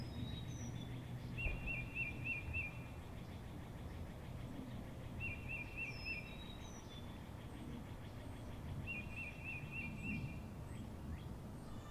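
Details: Birds chirping outside: a short rapid trill repeated three times roughly every four seconds, with thin high whistled notes from other birds between and a steady low rumble underneath.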